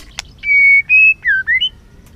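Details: White-rumped shama, sung in the many-voiced style meant to stir the bird: steady pure whistled notes, a level tone, a slightly higher one, then two short slurred notes dipping and rising.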